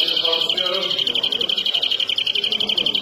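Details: European greenfinch singing a continuous fast trill of bright, evenly pulsed notes at a steady pitch, held through the whole stretch with slight rhythmic swells in loudness.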